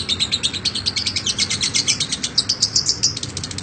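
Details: Lovebird, described as a chatty national champion bird, giving a long ngekek chatter: rapid, high, buzzy notes repeated about four per second without a break.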